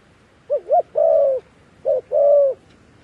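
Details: Dove used as a decoy for wild doves: clear low coos, two short swooping notes and a long coo, then one short note and another long coo.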